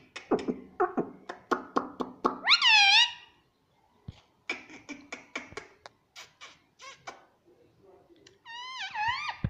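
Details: A pet green ring-necked talking parrot indoors produces a run of quick clipped speech-like syllables, a loud curved whistled squawk, more chattering clicks, and a final series of wavering whistled cries.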